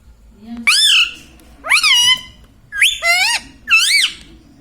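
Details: Pet ringneck parrot saying words indoors: four loud, rasping, bright syllables, each curving up then down in pitch, spaced about a second apart.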